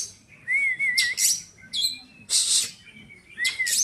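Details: Caged Oriental magpie-robin, said to be healthy and ready for song competition, mixing clear sliding whistles with loud rasping bursts and high metallic notes, alternating in quick succession.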